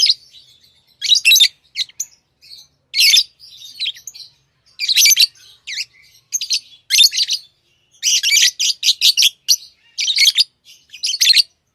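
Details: Tame lovebirds calling in loud, raspy, high chirps and squeaky bursts, often bunched into quick trains, with short quiet pauses.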